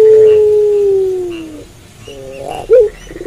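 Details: Night-time puter pelung dove giving a long low coo that slowly glides downward and fades, followed by faint quieter notes and a short sharp call.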